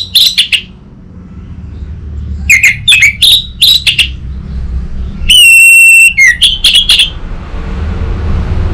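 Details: Orange-headed thrush training lure: short groups of quick, high chirping notes, a long steady pure whistle held for most of a second, then more fast notes fading into background hiss.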